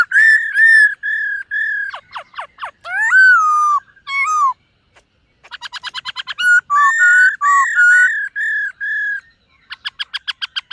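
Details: Morning voice-training song of a silver-eared laughingthrush: long varied phrases of clear steady whistles, sweeping slurred notes and loud rattling pulse series, with a short pause midway.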